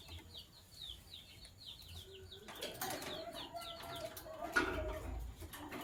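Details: Lovebirds, sky blue opaline and green opaline, chirping in the morning: a run of rapid, high, falling tweets, then rustling and wing-flapping noise takes over with fainter chirps behind.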